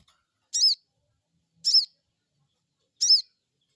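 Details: Crecet call of a crested jay, played as a lure to make birds call back: three brief, sharp, high-pitched chips at intervals of just over a second, with quiet between them.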